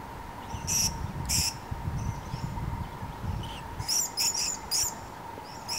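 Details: Purple-crowned lorikeets feeding on nectar in Numurkah, Australia, recorded in 2015; shrill, high screeching bursts in short clusters, with a steady mid-pitched hum and low rumbling noise underneath.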